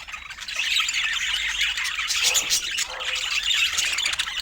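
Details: Feeding budgerigars produce steady, overlapping high chirping and scratchy warbles, a thick wall of chatter that swells slightly midway.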